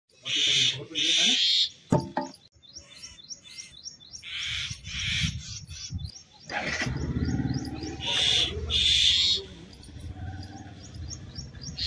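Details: Myna fighting a snake, giving loud, harsh, rasping bursts in pairs near the start, again around the middle and near the end. Thin chirps and low rustling fill the gaps.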